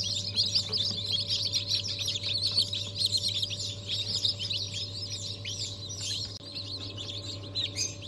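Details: A crowd of newly hatched Brahma chicks, first hatch of the year in January 2023, peep constantly in high, rapid, overlapping chirps, roughly a hundred per minute, with a steady electrical hum beneath.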